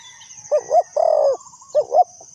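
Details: Trapping lure spotted dove, one full cooing phrase of two quick wavering notes and a long level coo, then the start of another, with a steady high-pitched insect drone behind.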